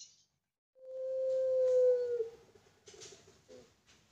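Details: Barbary dove of the pelung kind raised on a bird farm, delivering a single loud, drawn-out pure coo, smooth and level for about a second and a half before fading, followed by soft scratchy rustling.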